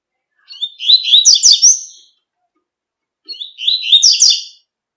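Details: Double-collared seedeater in nature repeating its tui tui song twice, about three seconds apart; each phrase is high, bright and quick, with slurred whistles running into a stuttering trill.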